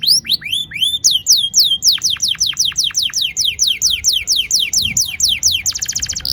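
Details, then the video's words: Long rolling canary song meant to stimulate young canaries into singing; rising whistled notes give way to rapid rolls of sharply falling high syllables, ending in a dense buzzy trill. "Pancingan kenari gacor NGEROL PANJANG AMPUH cocok bikin BURUNG KENARI PAUD GACOR LANGSUNG"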